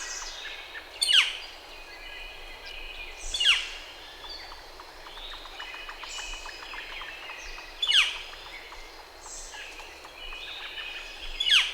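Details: Northern flicker giving single loud, sharp, downward-slurred calls roughly every two to four seconds, with softer chipping and twittering from other birds between them.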